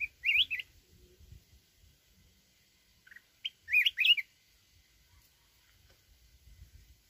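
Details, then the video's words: Red-whiskered bulbul singing a wild-type song to provoke fighting, giving two short bursts of bright, bubbly warbled song about three seconds apart, with quiet background otherwise. "chào mào núi@ hót giọng rừng"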